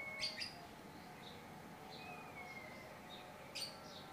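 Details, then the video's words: Tame Javan myna, said to be able to talk, giving a few sharp, scratchy chirps and a thin, level whistle sliding slightly downward, over a low background hum. "jalak kebo-bisa ngomong"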